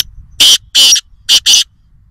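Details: Loud, high-pitched chirping call of a black francolin (kala teeter) at Nawabshah, Pakistan: four harsh, grating notes delivered in two pairs within about a second and a half, with little background sound.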